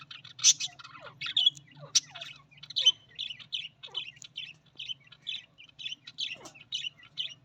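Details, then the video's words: Australian parrot chattering steadily, a run of short bright chirps about once a second after a few louder squawks and sliding notes, with a constant low hum behind. "Australian parrot voice"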